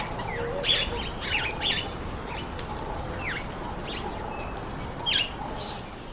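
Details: Several speckled mousebirds eating an apple utter thin, high, falling tsik notes in loose bursts, a few short squawky notes between them, and faint low cooing behind.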